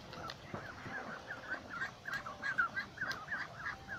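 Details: Flock of ducks beside a lake, many birds calling at once: a steady stream of overlapping nasal, wavering calls, some rising then falling, packed closely together over a low rumbling background.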